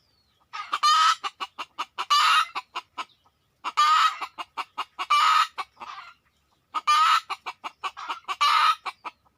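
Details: Wild red junglefowl approaching hunters using a decoy, giving three bouts of loud rasping calls. Each bout mixes long buzzy crowing-like bursts with rapid staccato clucks, and the bouts come about three seconds apart.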